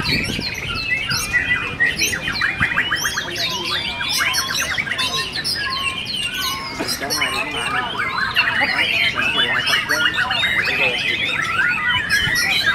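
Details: White-rumped shamas singing at a bird-song competition in Cibubur, Indonesia, murai batu class. Rich, fast, overlapping whistled phrases with sweeps and trills that run almost without pause. Voices and crowd murmur sit quietly underneath.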